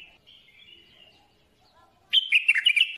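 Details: Bulbul song: after near silence, a single loud, rich warbled phrase of about one second, with quick slurred whistled notes rising and falling before a drawn-out ending.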